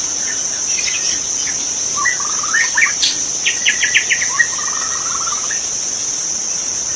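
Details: Magpie-robin heard in a forest, with scattered whistles, then a quick series of clipped repeated notes and a short trill, all under a constant shrill insect hum.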